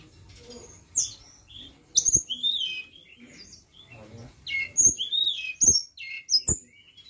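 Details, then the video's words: Flowerpecker lure song with sharp, high-pitched ticking chirps and quick downslurred whistles in scattered bursts, with soft low clicks in the background. "Pancingan Ampuh BURUNG TLEDEKAN"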